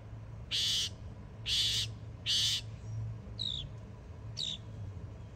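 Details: Young Northern mockingbird in Florida: three loud harsh broadband rasps about a second apart, followed by two thinner descending notes, with low hum beneath.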